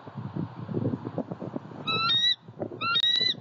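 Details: Eagle filmed by a Southwest Florida eagle cam during a pond visit on 23 February 2020: low rumbling noise, then two clear, ringing, slightly upswept notes about one second apart.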